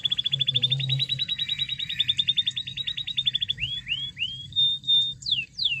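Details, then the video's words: Canary singing to provoke other canaries into song: a fast, even trill of rapidly repeated high notes lasting over three seconds, then a few separate rising slurred whistles and sharp downward sweeps, over a low background hum. "Pancingan Emosi Kenari Supaya Gacor"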